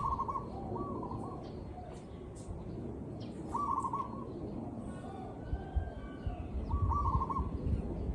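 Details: Zebra dove in a real field recording, singing short rapid trilled cooing phrases at a mid pitch, about every three seconds, over a steady low rumbling background.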